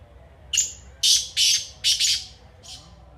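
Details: Black francolin (kala teetar) uttering five loud, scratchy, harsh notes in an uneven burst. The first note carries a brief high whistled tail.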